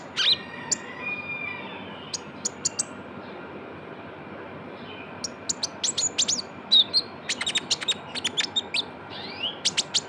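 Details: Young Van Hasselt's sunbird, known locally as konin or kolibri ninja, in a lure recording: sharp high chirps and short twittering notes in scattered bursts, thicker toward the end, over a soft steady hiss.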